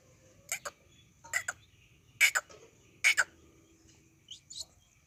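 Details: Local desi quail calling, sharp bright notes in short double bursts about once a second, with quieter chirps near the end against a faint low hum.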